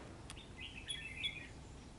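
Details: On a cold rainy day, a red-whiskered bulbul squares off against a trap bird, giving a short, slurred, warbling phrase of high chirps under a steady noisy background.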